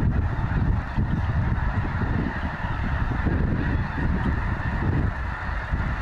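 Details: Thousands of snow geese gathered at Goose Pond Fish & Wildlife Area, Linton, Indiana, making an almost deafening noise as a large group: a dense, unbroken din of overlapping low honks.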